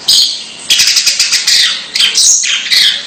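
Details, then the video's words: Long-tailed shrike giving a strange call: harsh, raspy, high-pitched bursts, a short note followed by a long series of rapid scratchy pulses with brief pauses between phrases. "Suara Aneh Burung Cendet"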